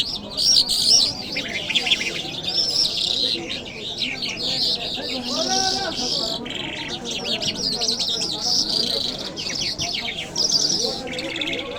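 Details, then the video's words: Continuous, rambling lark song of high twittering, trills and chirps lasting several seconds, steady and loud, with people talking quietly behind. "Lark Sounds"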